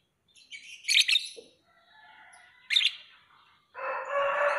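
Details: Lovebird uttering several sharp, shrill chirps with soft twittering between, followed by a loud, harsh, rasping broadband noise at the end.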